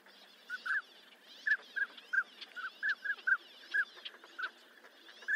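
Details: Northern pintail calling: a series of short whistled notes, each brief and slightly rising, repeated at uneven intervals of roughly half a second, over a faint steady hiss.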